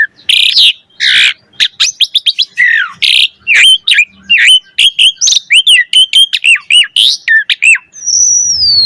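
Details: Asian pied starling in lively, full, varied song, played as a lure to stimulate other starlings to sing: rapid loud whistles, harsh squawks and rising and falling notes in dense bursts, ending in a long, thin, descending whistle.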